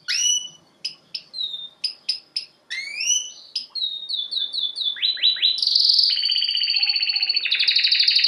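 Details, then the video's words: Canary (Serinus canaria) song for training: separate sharp upswept whistles at first, then quick repeated note groups running into long buzzy rolling trills. "Bird song | Canary singing| training bird | best canary | Serinus canaria"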